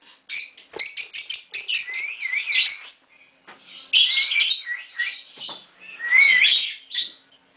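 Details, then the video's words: Chattering green Fischer's lovebird pair: quick series of thin, high twitters and wavering whistled notes, rising and falling, in two long runs with a short quiet gap between. "Lovebird Singing & Chirping Sounds - Green Fischer Pair"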